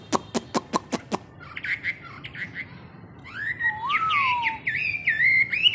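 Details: Caged Chinese hwamei during 15-minute morning song training for hard-rack birds; six rapid taps open the clip, then soft notes give way to swooping, slurred whistles that dip low and rise again into varied warbles.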